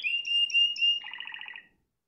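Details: Spanish timbrado canary song: a long steady high whistled tone held for about a second with slight breaks, then switching to a rapid bubbling rolled trill that fades out.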